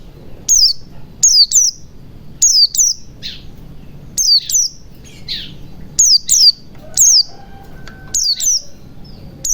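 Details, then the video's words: Lure of white-eye sounds for a bird that has gone quiet, meant to get it singing and opening its beak: bright, piercing notes that fall in pitch, often paired, repeated steadily through the clip, with softer lower chirps between them. "pancingan pleci macet bunyi agar cepat gacor ,ngalas ,buka paruh"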